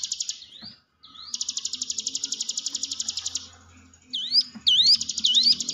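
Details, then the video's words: Hill prinia song used as a lure to train quiet, timid cage birds: a rapid buzzy trill held for over three seconds, a short pause, then three sharp upslurred whistles with a faint low hum behind. "ciblek gunung diam saja kurang loss mental ciut latih dengan pancingan ini"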